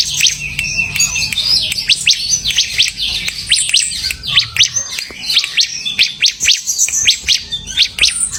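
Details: Bar-winged prinia singing in a lively semi-gacor way, pouring out dense, very high chirps and quick downward-slurred notes in an almost unbroken twittering stream.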